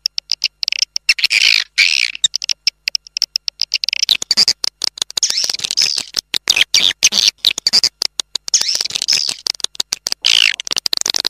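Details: Raja Liur lure call for swiftlets: steady, rapid clicking at first, then long stretches of shrill, buzzy twittering laced with clicks.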